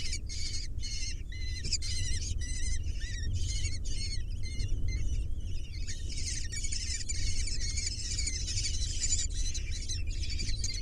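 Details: Six kestrel nestlings being fed give rapid, repeated high chirping begging calls in dense overlapping bursts, steady throughout, over a constant low rumbling background noise.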